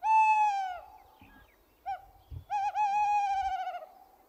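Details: A tawny owl, the commonest owl on Poľana, Slovakia, gives a long, clear hoot, then a brief note and a drawn-out wavering, quavering hoot, all on the same mid pitch.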